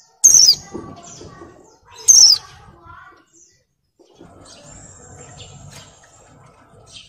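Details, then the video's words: Molting female white-eye in breeding condition calling males: two high, falling whistled notes close together at the start, followed by a long stretch of faint thin chirps and low background noise. "SUARA PLECI BIRAHI GACOR NGALAS"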